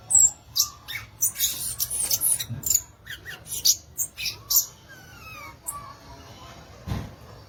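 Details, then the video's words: A violaceous euphonia gives a dense rush of high crackling notes, then tails off into a few thin, drawn-out descending whistles and near quiet, ending with a single dull knock. "Belíssimo Canto do Gaturamo Verdadeiro, ou Guriatã"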